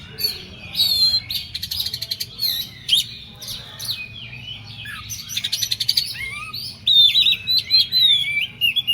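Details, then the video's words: Agitated Oriental magpie-robin pouring out a rapid, varied song: buzzy trills, rattling note runs, sharp whistles and rising and falling slurs, delivered almost without pause above a low background hum. "KACER EMOSI KONSLET"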